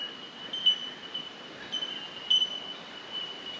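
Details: Bell Miners (bellbirds) give pure, high, bell-like 'ting' notes over a steady ringing chorus, with stronger pings every second or two, beside the Mary Valley Rail Trail at the Kathleen Dennis rest area between Imbil and Brooloo.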